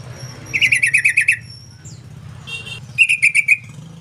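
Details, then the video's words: Yellow-vented bulbul giving two bursts of quick, bright chirping notes, the first a run of about eight evenly spaced chirps, the second about five, with a short buzzy note between, over a steady low rumbling hum. "SUARA PANGGILAN TRUCUK"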